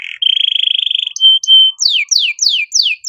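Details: Canary master song used for training other birds: a fast even trill, two pure whistled notes, then a series of loud down-slurred whistles repeated about every third of a second.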